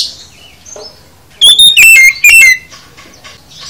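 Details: Oriental magpie-robin (kacer) in full isian song: one short, loud cluster of bright whistled notes, including a falling slur, set between near-silent gaps.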